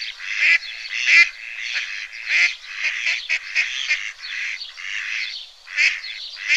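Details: Rough, hoarse quacking from a duckling in a pond, calls running together in an irregular chatter with brief louder bursts.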